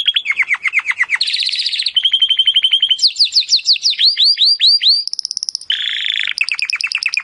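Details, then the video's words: Timbrado canary song used to train other canaries: a fast sequence of varied rolled tours, descending swept notes, buzzy trills and high metallic phrases changing every second or so. "AUDIO mas PODEROSO de TIMBRADO para el ENTRENAMIENTO"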